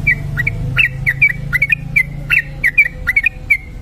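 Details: Sooty-headed bulbul giving a long continuous 'ropel' song, used as a lure recording: rapid, bubbly whistled notes in quick succession, some rising and some falling, with sharp clicks between phrases over a steady low hum.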